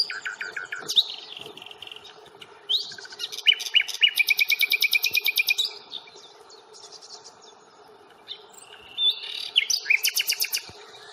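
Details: Nightingale song at Fingringhoe reserve on 1 May: varied phrases with a fast, even rattle of repeated notes lasting about two seconds, pauses between, then more chattering bursts.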